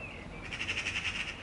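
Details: A Eurasian magpie (Pica pica) gives a harsh, rapid rattling chatter call of about ten dry notes a second, after a faint thin whistle at the start.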